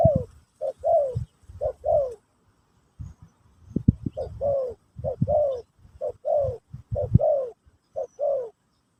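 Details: Pesom or Kacuk style spotted dove song, used as a teaching session for a new bird. Mellow coos come in close groups of two or three, with a brief pause near the middle. Low thumps sit underneath.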